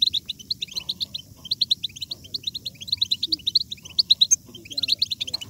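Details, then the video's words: European goldfinch batbata song, meant to make other goldfinches sing hard: a dense, rapid run of high twittering notes, almost unbroken, with a brief pause before the final burst. A faint low background hum is present. "بتبتة الحسون ~ بتبتة جيدة لجعل الحسون يغرد بقوة !"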